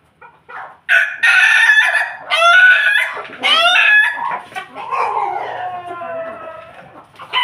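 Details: Ayam Ketawa rooster kept alongside a family of Pelung Bangkok chickens, giving a loud, broken crow of several harsh, ringing bursts separated by short gaps, ending in a lower, trailing phrase.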